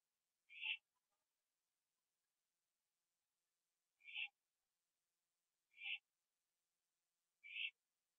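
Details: Owl on a porch at night in September 2011, eating a gopher and then flying to perch beside another owl in a tree; four hoarse screeches with a lower tone, spaced about two seconds apart.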